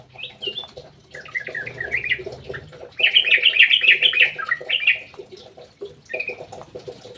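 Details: Yellow-vented bulbul singing in an aviary: loud, bubbly warbled phrases between 3 and 4.5 seconds, with shorter chattering notes before and after, over a steady low mechanical hum.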